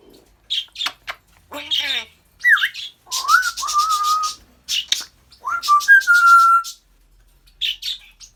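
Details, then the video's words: African grey parrot mixes clicks, a dipping whistle and raspy pulsed chatter with long level whistled notes, some rising then holding steady, before a few final clicks. "African grey talking, laughing and burping"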